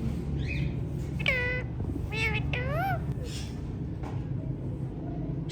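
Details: Hand-tame ringneck parrots giving a few harsh, nasal calls with rich harmonics, each sliding down and then curling upward, spread over several seconds against steady low indoor hum.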